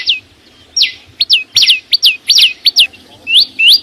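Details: A bird called chim sâu xanh singing: sharp, high whistled notes, some slurring downward and others sweeping upward, given in uneven bursts with short pauses between them.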